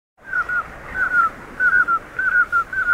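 Common scoter giving soft, mellow piping whistles in short bursts of two or three notes, repeated steadily over a quiet background.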